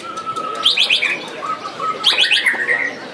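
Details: Caged white-rumped shama (murai batu) competing in the Piala Candi Prambanan 2 singing contest: two bursts of quick sharp chirps, each running into whistled notes, over a steady held tone and background chatter.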